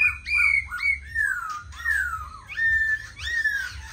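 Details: Tame black laughingthrush kept as a cage bird, singing and dancing on a table: loud, ringing whistled notes that glide downward one after another, with a few sharp higher accents and short gaps between phrases.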